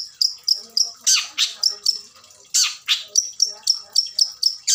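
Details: Shrike, a breeding adult with a full, varied song, giving a quick series of sharp high chirps about every quarter second, broken by harsher rasping notes near one and three seconds.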